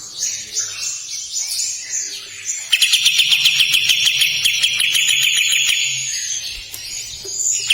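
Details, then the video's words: Kapas tembak giving a long harsh song: scratchy high notes at first, then a fast, sustained, buzzy trill of rapidly repeated clicks that runs for several seconds before fading. "Burung kapas tembak gacor panjang besetan kasar"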